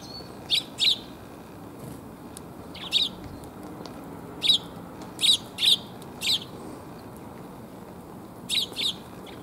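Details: Eurasian tree sparrows coming to be fed on 1 January 2022, on the way home: short bright chirps in pairs and triplets, spaced irregularly over about nine seconds, with a steady low background hiss.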